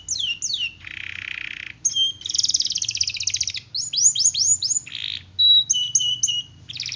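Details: Canary song with long rolls, played to coax other canaries into singing: looping swept whistles, rapid buzzy rolls, a pure held whistle and repeated bright chirps, nearly continuous.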